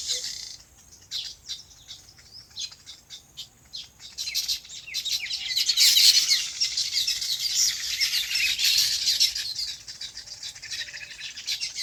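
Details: Sparse chirps on a farm build after a few seconds into a dense, loud chorus of high twittering birds in their natural habitat.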